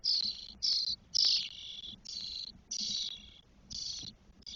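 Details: Four 12-day-old starling nestlings in a nest in Spain, 1 June 2022, give harsh, hissing, high rasps in bursts roughly twice a second, with only a faint low rumble behind them; finding: Spotless starling.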